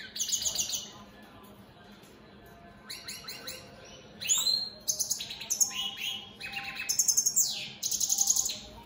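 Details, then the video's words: Mutation goldfinches (opal split satiné) singing all day; after a quiet start, a lively stream of tinkling twitters, rasping trills and sliding whistles, rapidly repeated at roughly four notes per second. "Opal split Satane goldfinches siging"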